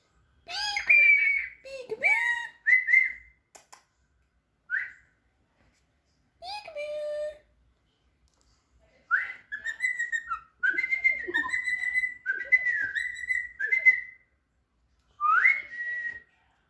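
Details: A cockatiel chatters in bursts of raspy, speech-like syllables and bright whistles, mimicking the word "peekaboo".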